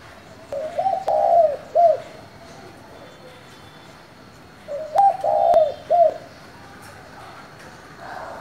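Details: Spotted dove with a local-style call used to stir up rival doves: two cooing phrases about four seconds apart, each a soft lead-in, a wavering drawn-out coo and a short closing note, with faint outdoor hiss.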